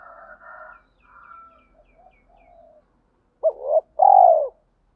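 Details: Spotted dove used to lure wild doves, cooing thổ pha đồng style: soft scratchy chirps and murmurs open, then one loud phrase of a quick rising note, a swelling note and a long falling coo.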